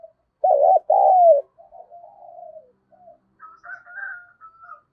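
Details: Spotted dove cooing to provoke fighting and lure wild doves in fast: a loud two-part coo, a wavering note then a longer falling one, followed by softer trailing notes and a faint higher whistled call from another bird.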